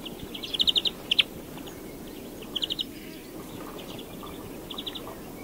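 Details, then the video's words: European greenfinch singing short, rapid trills of bright chirping notes in several separate bursts over a steady background hiss. "Canto do Verdilhão (Chloris chloris)"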